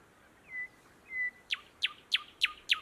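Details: Thrush nightingale singing in June 2018 in Matsalu National Park, Estonia: two drawn-out whistled notes, then a rapid series of five loud, sharp, descending chipping notes about every third of a second.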